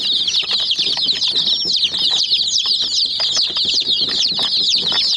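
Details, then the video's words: Young hen chicks pecking at a toy jeep give a busy stream of high, sharp peeps, brief downward-sliding notes piled together continuously, alongside light tapping of beaks on the toy. "Mini Jeep Vs Murgi Chicks Chirping Sounds"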